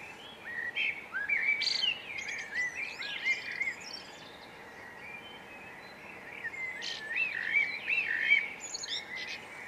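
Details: Hawfinch in Brittany, France, giving clipped, high metallic notes mixed with short twittering bursts, in two busy spells about six seconds apart, over a soft background hiss.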